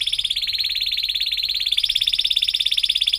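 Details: Young canaries learn to sing from this canary song: one continuous, rapidly pulsed high roll that steps slightly higher halfway through.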